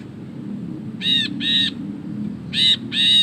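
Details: Ashy bulbul in full ngekek chatter, recorded as tutor material: four harsh, buzzy, rasping notes in two close pairs about a second and a half apart, over low background hum.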